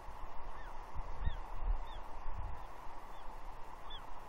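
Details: Young bald eagle squeeing at her father on a tree at Two Harbors, Catalina, on June 30, 2021, wanting her breakfast fish; thin falling squeals at irregular intervals, soft thumps and constant background rush.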